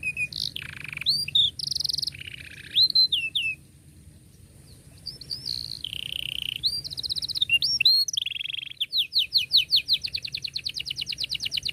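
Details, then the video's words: Canary song for young canaries learning to sing: varied whistles and buzzy rolls, a brief pause, then more trills ending in a long run of rapid repeated sweeping notes. "KENARI GACOR PANJANG cuit cuit Ngerol Rapat Paling Dicari Untuk Pancingan Kenari Paud Belajar Bunyi"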